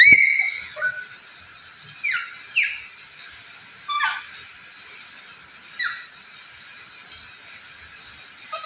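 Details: Black-capped lory, described as very vocal and a talker, gives a run of harsh, downward-sliding squawks at irregular intervals, some paired closely, with brief quieter notes between them.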